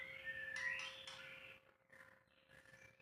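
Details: White-rumped shama song, unedited recording: a strong whistled phrase with bright sliding notes in the first second and a half, then fading into faint, softer warbles and background hum.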